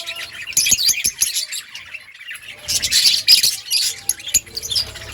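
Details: Outdoor colony budgerigars give loud bursts of squeaky chattering, a few sharp clicks early on, a brief quieter gap, then a dense surge of high twittering warble.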